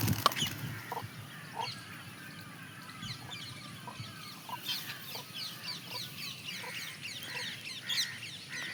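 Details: Peahen feeding and calling: a run of low, brief clucks repeated roughly every second, over steady background twittering from other birds.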